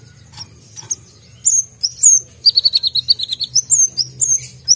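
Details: Brown-throated sunbird, a singing bird, pouring out sharp high notes: thin rising whistles, then a rapid buzzy trill of about a dozen notes, followed by more upslurred whistled phrases, with a faint low hum beneath.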